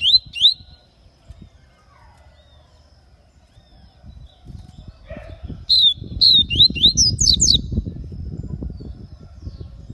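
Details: Double-collared seedeater (papa-capim) from Aracaju, Sergipe, Brazil, giving baianinho-style song: a brief burst of high slurred whistles, then a longer rapid phrase of sweeping, chirpy notes over steady low rumbling background noise.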